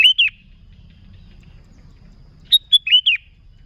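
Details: Sooty-headed bulbul song for luring bulbuls: a brisk two-note phrase, a pause, then a lively run of four clipped and slurred notes.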